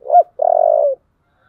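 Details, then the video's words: Spotted dove, 'giọng thổ' voice style, stirred up to fight: a short looping low note followed by a long, steady, slightly trembling coo that drops at the end; nothing else heard. "cu gáy giọng thổ/ cu gáy thúc đấu căng lửa"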